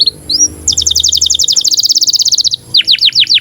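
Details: Breeding-condition canary song meant for training young canaries: two short whistles, a rapid even trill of around twenty-five notes, then several falling slurred notes.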